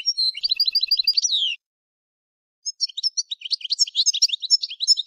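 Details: European goldfinch song, a quick twittering phrase ending in a downward slur, a pause, then a busier stretch of high chattering notes.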